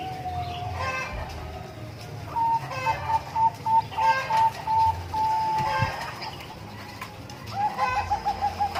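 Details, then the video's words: Bangkok-type zebra dove (perkutut) in a hanging cage, delivering two bursts of rapid, bubbling coo notes, the second trailing off at the end, while nearby chickens cluck and call between them. "Suara Burung Perkutut Bangkok Di Umbaran"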